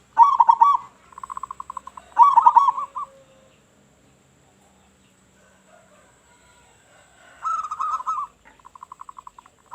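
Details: Loud-voiced local zebra dove, calling to lure other doves: short rolling, bubbling coo phrases separated by pauses of a few seconds, ending with a quick run of evenly spaced low pulses.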